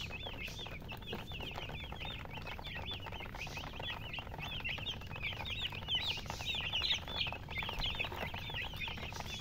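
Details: A group of baby chicks gives a steady stream of shrill, rising-and-falling peeps, several per second, with constant low noise underneath.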